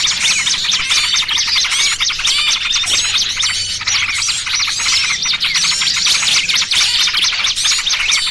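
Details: Bird-trapping lure of small birds, trucukan combined with trapped small-bird cries: crowded high twittering, sharp rising and falling chirps packed densely, the flock-like clamour never letting up; a low hum sits in the background.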